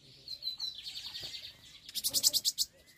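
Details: Lined seedeater (bigodinho) singing: high whistled notes sliding into a rapid buzzy series, then a loud burst of evenly spaced sharp notes near the end, with faint background noise.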